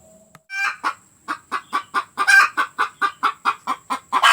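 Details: Hen cackling after laying an egg, delivering steady short clucks at about four per second, with one longer, harsher squawk midway and another loud note at the end.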